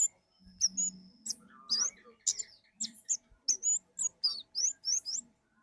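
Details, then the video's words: Singing orange-headed thrush, kemade ngalas, delivering a steady stream of high, rising whistled slurs about twice a second over a low background hum and faint rustling. "burung kemade ngalas"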